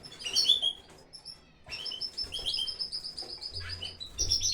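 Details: Aviary canaries in full breeding season, several birds chirping at once: a quick jumble of high twittering notes, then a run of rapid, even, high-pitched trilled notes, over a low hum.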